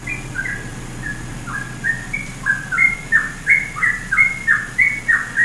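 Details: Trucukan, the yellow-vented bulbul, sings ropelan phrases used as training material for songbirds: short bright whistles, many dipping downward, repeated roughly three times a second and growing stronger, over a low steady hum.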